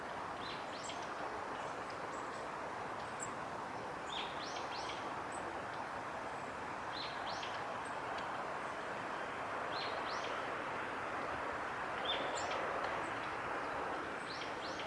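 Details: Long-tailed tits bathing at Kawaguchiko Field Center, Japan, on 29 September 2019 give thin, very high, short calls in scattered bursts every second or two over a steady wash of running water.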